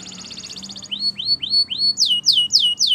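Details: Belgian canary singing in the morning, a fast high trill giving way to rising swooping whistles, then loud repeated downslurred notes about every quarter second; faint low hum underneath.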